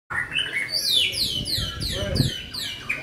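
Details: White-rumped shama in vigorous, continuous song: a rapid run of clear whistled notes, each sliding sharply downward, repeated in a quick cascade over about three seconds, with faint low background rumble.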